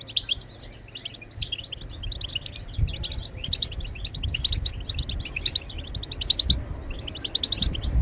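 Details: European goldfinch, known locally as maqnin, singing to stimulate other birds to sing; rapid twittering of high chirps and trills in continuous runs, with low rumbling background noise.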